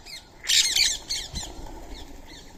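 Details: Indian ringneck parrot during its daily meal of soaked rice and corn with a squirrel nearby; one loud, rasping double squawk, then fainter harsh notes trailing off.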